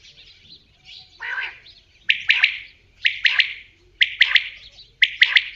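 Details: Repeated common quail calls: a muffled opening note, then four sharp triple-note phrases, evenly spaced about a second apart, bright and penetrating against near silence.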